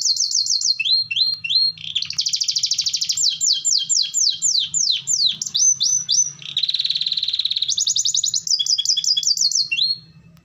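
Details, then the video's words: Canary song meant to set other canaries singing: a long unbroken run of high rapid trills, buzzy rattles and downslurred whistles changing type every second or two, ending abruptly after about ten seconds. "Sekali putar Kenari lain ikut Gacor dan bunyi lagi"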